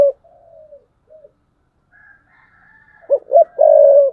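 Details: Spotted dove used as a decoy, cooing thúc bổi style. Soft distant coos and a faint higher drawn note open the clip. Near the end a loud phrase follows: two short gruff notes, then a prolonged low coo.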